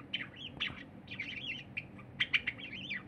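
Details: A cinnamon Java sparrow sings a soft, bubbling run of high chips and clicks with a few sharper bell-like notes, over a low room hum, while a silver Java sparrow eats nearby; recorded 23 January 2021.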